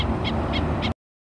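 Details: Black-necked stilt mother giving an alert call to her foraging chicks at Oso Creek, Laguna Niguel, California, on April 29. Four sharp, yapping notes come about a quarter second apart over a steady low rumble of background noise.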